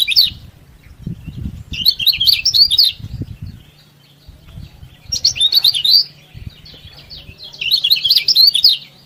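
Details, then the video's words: Energetic yellow-bellied prinia song, used to provoke rival prinias into singing: three or four bursts of rapid, high, scratchy chirping trills, each about a second long, between low thumps and knocks. "KECIAL KUNING GACOR BIKIN KECIAL MALAS BUNYI RAJIN BUNYI"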